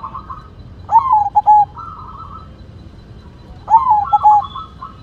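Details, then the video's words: White zebra dove singing actively: two separate cooing phrases, each a quick rising-falling note followed by two or three short, clipped, ringing coos and a longer held tone, about three seconds apart, over a low background hum. "Perkutut Putih Gacor Suara Mantul"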